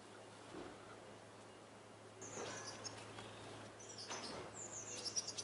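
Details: Common swifts arriving back in spring, recorded in Swinford on 5 May: thin, high screaming trills sweep through in short bursts, growing louder toward the end, over a steady low hum and broad background noise.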